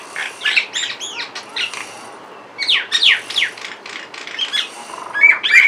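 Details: A pair of mynas on a window grill tweet and call: sweeping whistled slurs, harsh chatter and chirps in irregular bursts, a short pause midway, then a final pure whistled note.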